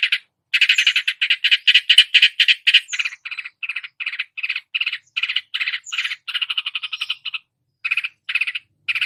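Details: Long-tailed shrike mimicking various songbirds in a dense, continuous run of harsh, rasping pulsed notes, with brief higher whistled inserts and short gaps near the end.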